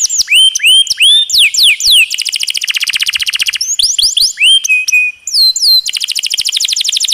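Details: Canary song meant for training other songbirds: swooping upswept whistles alternate with long, dense buzzy rolls of rapidly repeated notes.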